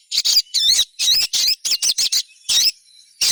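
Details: Crimson sunbird twittering, used as a lure to get other sunbirds to sing: a dense, fast run of loud, sharp, slurred high chirps, closely spaced, with short gaps near the end.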